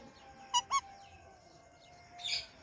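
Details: Indian ringneck parakeet recorded alongside an Alexandrine parrot, giving two short, sharp harmonic chirps in quick succession, then a brief harsher burst near the end over a faint steady hum.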